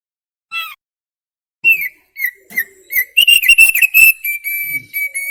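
Thick-billed white-eye singing: a few separate clear whistled notes, then a fast run of bright, steady whistles and chirpy trills with no other sounds.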